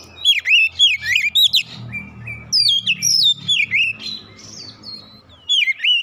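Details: Oriental magpie-robin challenging a provoking opponent, unloading its learned song material: repeated loud V-shaped whistled notes in quick groups, with steady low background rumble beneath.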